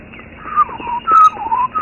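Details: A Black-collared Barbet pair duets at a distance on a morning safari drive at Thornybush Nature Reserve, South Africa, 1 July 2013: quick, ringing whistled notes slurring downward in a bouncing rhythm, over a faint low rumble.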